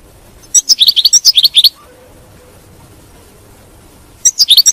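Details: European goldfinch batbata chirping used to stimulate a pet goldfinch's singing: about a second of quick, bright twitters, a pause of two and a half seconds, then a few more chirps, somewhat quieter.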